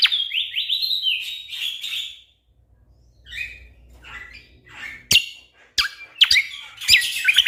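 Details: Orange-spotted bulbul singing for training competition songbirds: a quick series of bright descending whistled phrases, a short near-silent gap, then scattered chirps and sharp clicking notes.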